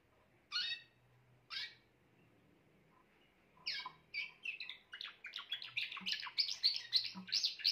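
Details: Grey Timbrado canary: two isolated sharp chirps, then a lengthening burst of rapid, rolling metallic trills that grows louder and denser toward the end, with faint low hum in the background.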